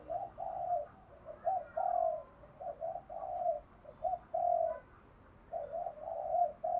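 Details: Spotted dove in the thổ voice style, cooing to stir other doves to answer. A steady run of mid-pitched, slightly rough coos of varied length over a constant background hiss.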